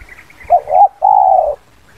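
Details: Spotted dove lure call: a short coo, a rising slurred coo and a long steady drawn coo, with soft high chirping from other birds behind.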